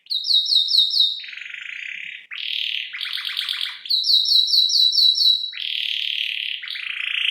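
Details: Chatty canary on a lure and tutor recording of ornamented fill-in song, alternating runs of bright high repeated chirps with lower buzzy rolls and rattling tours, continuous throughout.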